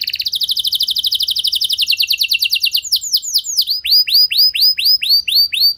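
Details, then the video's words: Canary song for luring other canaries into singing: a fast even trill slowing into repeated sweeping downward whistles, about two per second. "Bakal Terpancing Jadi gacor Panjang Burung Kenari Lain Segala Kondisi! Ikut Gacor Pasti Ngeplong"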